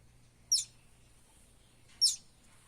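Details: A buff-banded rail chick in the Philippines gives two thin, high, sharp peeps about one and a half seconds apart, over a faint low hum.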